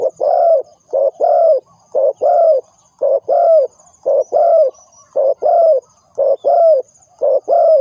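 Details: Spotted dove calling as a trapping lure: deep, soft coos delivered steadily in pairs, almost one per second, each note slightly falling at the end, with little other sound.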